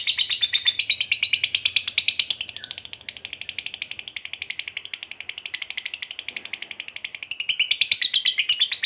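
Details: Long ngekek from a fighter lovebird, used as a lure to make another lovebird angry and strike: nearly nine seconds of continuous, fast, high rattling chatter, briefly softer in the middle before swelling again.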